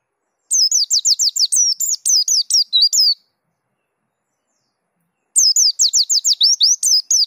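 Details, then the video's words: White-eye of the dakun type singing a strong rolling song that reveals its repertoire: two fast bursts of high, sharply falling whistled notes, about ten per phrase, separated by a two-second pause. "Pleci Dakun Ngerol Gacor Bongkar Isian"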